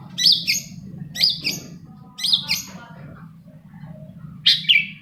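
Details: A lure recording of long-tailed shrike song, played to prompt reluctant shrikes: paired high chirpy notes repeated about once a second, with faint low chatter between them and a louder double note near the end.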